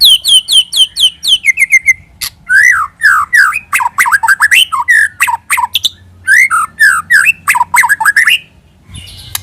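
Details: White-rumped shama song used as a lure: starts with high descending whistled notes repeated quickly, then a long varied stream of loud slurred whistles, chips and squeaky phrases with brief gaps.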